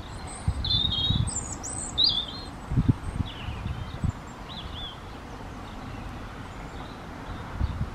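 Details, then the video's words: European robin in breeding season singing territorial song in reply to other robins around it: a series of short, high, twisting whistled phrases spaced through the first five seconds, then quieter, with steady low rumble behind. "Singing Robin"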